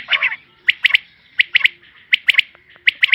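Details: A female common quail calls in crisp triplets of high clipped notes, each group spaced roughly every half second after an opening rasp.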